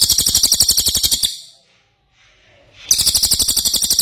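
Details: Ashy tailorbird singing actively: two bursts of high, buzzy, rapidly pulsed trilling, each over a second long, with a quiet gap between them.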